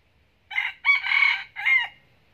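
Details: Decoy red junglefowl that crows often and clucks to hens, kept in Bình Phước, Vietnam, gives a loud three-part crow: a short first note, a longer drawn-out middle section and a falling final note, over a quiet background.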